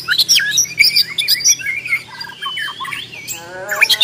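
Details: Agitated Borneo white-rumped shama: high piercing chips and squeaky whistles in uneven bursts, ending in a fast descending rattle.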